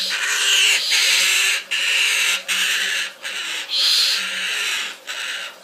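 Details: A two-month-old baby umbrella cockatoo, acting up, gives harsh, raspy, hissing screeches in long bursts of about a second, broken by brief pauses, with no other clear sounds.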